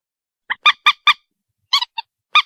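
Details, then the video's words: White-breasted waterhen giving short, harsh, honking notes in two bursts: four quick croaks, a pause, then three more, with a clean, quiet background. "morhen bird shound (ডু্ঃখোর পাখির ডাক)"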